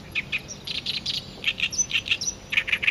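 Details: Oriental reed warbler singing by its song post while a female bull-headed shrike stays nearby without interacting; rapid, grating chatter of repeated harsh syllables, some notes doubled, delivered in a steady run.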